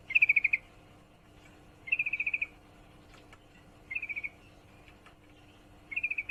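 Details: Sooty-headed bulbul female in heat calling a male: four fast rattled bursts of five to seven crisp notes each, spaced about two seconds apart over a quiet background.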